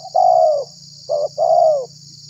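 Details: Spotted dove lure call for catching wild doves and provoking others; a long mellow falling coo, a short clipped note, then another extended coo, with a low hum and high hiss in the background.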